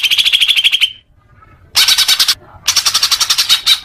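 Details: Leafbird song, used to calm newly kept young birds: a rapid chattering phrase ending in a falling whistle, then a pause and two more bursts of fast, high, repeated notes.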